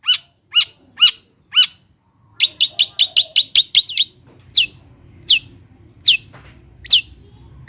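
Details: Cendet song meant to prompt lazy birds to sing: a few spaced harmonic chirps, a quick series of clicks, then loud downslurred whistles about every three-quarters of a second over faint low hum.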